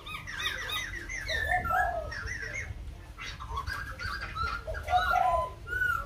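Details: White-crested laughingthrush singing at Kbang: mellow whistled notes, some rising and falling, and a brief rapid chattering passage, over a low steady background hum.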